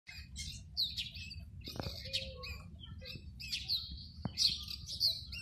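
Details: Oriental magpie-robin singing from a treetop in courtship, calling to a female for mating, among sparrows, starlings, weavers, bulbuls and parrots in one tree; loud clear whistled phrases rise and fall over a busy chorus of chirping birds.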